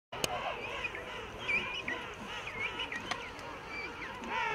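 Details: King penguins in a large breeding colony among coarse tussac grass at Salisbury Plain, South Georgia; a dense chorus of overlapping trumpeting, warbling calls fills the air, with a few sharper clicks and bursts through the rookery din.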